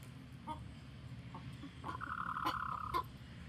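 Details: Chicken alarm sound warning the flock: scattered short clucks and clicks lead into a rough, sustained tonal cry of about a second punctuated by sharp clucks, over low steady hum.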